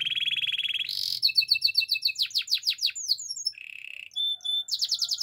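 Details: Gloster canary song for teaching canaries: a low buzzing roll, a burst of repeated sharp chirps and swept notes, a brief low buzzy tour, then high ringing whistles and a fast trill.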